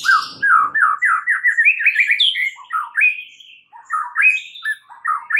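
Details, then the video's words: White-rumped shama (murai batu) in full, nonstop song on a training recording meant to make other shamas answer, a fluent stream of varied, rich whistled and warbled phrases rising and falling in pitch. "MASTERAN MUTAI BATU GACOR , 3 DETIK SAJA DIJAMIN NYAUT SEKETIKA"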